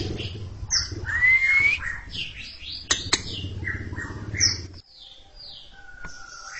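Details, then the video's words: Greater green leafbird performing in front of a stalled younger bird: a jumble of slurred whistles, swooping notes and sharp clicks over a low background hum, ending in softer scattered notes and a flat whistle. "Cucak Ijo ngekek panjang siap ngeroll didepan junior macet"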